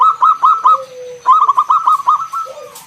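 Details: Lure song of a local zebra dove, 'ngalun kung bulat' style, meant to set other doves singing: two clusters of quick, bright coos, the second longer, over a low steady coo from another dove.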